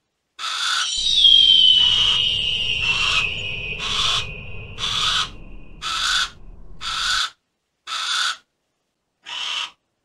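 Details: Harris's hawk with a long, drawn-out rasping scream carrying a thin falling whistle, then shorter harsh squawks in quickening succession. A low background rumble stops partway through.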